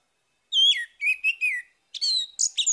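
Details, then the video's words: Orange-headed thrush in the morning, sung to restart a bird that stopped singing: a loud clear whistled note followed by quick tumbling warbles, then a second phrase of high, varied chirping whistles. "PANCINGAN ANIS MERAH PAGI HARI MENGATASI ANIS MERAH MACET"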